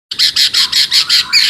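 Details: Chinese hwamei singing energetically in a crystal-clear voice: a steady series of seven loud, bright, even notes, each about a sixth of a second long, high-pitched and sharply repeated without pause.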